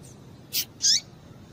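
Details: Female double-collared seedeater call meant to stimulate males: a brief high burst followed by a louder sharp note that sweeps down, then quiet with low background noise.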